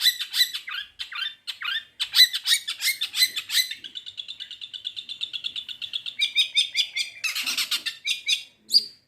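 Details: Long-tailed shrike (cendet), a kept songbird, singing mimicked material: choppy chirps giving way to a long even trill of rapid repeated notes, then a harsh burst and a final upslurred note.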